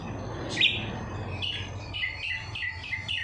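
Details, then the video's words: Greater green leafbird (cucak ijo) with kapas tembak filling: one loud sharp note, then a regular string of clear falling whistles, each ending in a lower tone, over faint background rumble. "CUCAK IJO ISIAN KAPAS TEMBAK"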